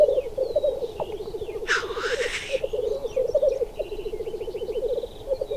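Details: Male black grouse at a standoff, wandering off rather than charging each other, keep up a low, dove-like bubbling rookoo in rapid rolling pulses, broken by one harsh hissing sneeze; faint higher calls of other birds.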